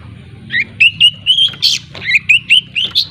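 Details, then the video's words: Long-tailed shrike from Lampung learning to sing: a rapid run of short whistled, slightly rising chirps strung together with one harsher buzzy note midway, steady low hum beneath. "Suara Pancingan Burung Cendet Belajar Ngriwik"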